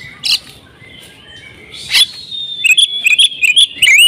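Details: Oriental magpie-robin in agitated fighting mode: scattered sharp notes and a drawn-out thin whistle, then a quick run of bright, upward-flicking chirps repeated several times a second.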